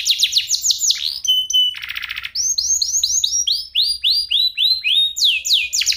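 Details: Training song of an F1SF canary, crystal voice and unique cengkok, used to tutor shamas. Fast falling notes, a long whistled tone, a harsh buzzy rattle, then evenly repeated arched notes about four per second.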